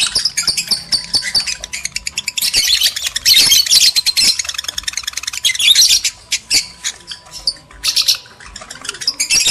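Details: Lovebird chatter from males and females, played to stimulate mating: shrill rapid chirping building to a dense, continuous squeaky stream, then thinning to separate bursts of high notes.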